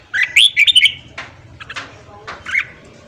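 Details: Red-whiskered bulbul singing in the morning, a recording meant to train and fire up newly caught birds. One quick sweeping, whistled phrase is followed by softer, fainter notes over low background noise.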